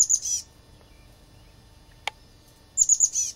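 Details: At a flicker-box nest holding eggs and young, a guarding Chestnut-backed chickadee gives two clusters of high, thin, quickly repeated notes separated by a quiet gap broken by a single sharp click.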